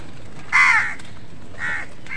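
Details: One loud, rasping caw from crows competing with other wild birds for food, followed by two fainter, shorter caws, with steady low-pitched background noise throughout.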